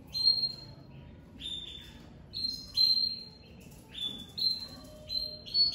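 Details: Crested pied (lavandeira) domestic canary coming out of moult, singing very strongly: short, bright whistled notes and slurred phrases, high-pitched, in bursts about every second with brief pauses between, over a faint low background hum.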